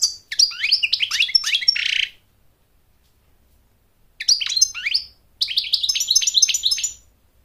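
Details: A long, rapid, chattering warble of high twitters and buzzy trills from an American goldfinch, sung for courtship and to teach chicks, in two bursts separated by a two-second silence.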